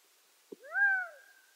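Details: Gambel's quail of western North America: a short click, then one mewing, arched note that swells and fades over about half a second. The background is quiet.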